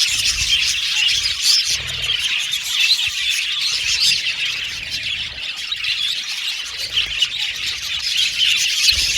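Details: Many budgies together in an aviary, chirping and squawking nonstop; high warbled twitters overlap in an unbroken chorus, some harsher squawks standing out every few seconds.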